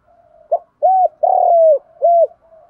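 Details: Spotted dove cooing, from a recording of male and female birds meant to stimulate captive doves to call. A single phrase: a short note, two rounded coos, a long drawn coo, then a final coo over a faint hum.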